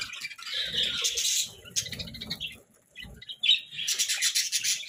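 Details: Several pet budgerigars chirping while eating a meal of colourful vegetables; scratchy, buzzy chatter in bursts with a brief quiet gap near the middle, plus faint low munching and handling noises.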